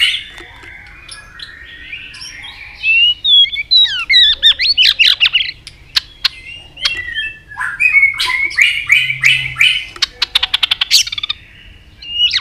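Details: White-rumped shama in competitive, provoking song, changing voice often: varied whistled phrases with slurred rising and falling notes, then sharp clicks and dense high rapid notes, with some low background rumble.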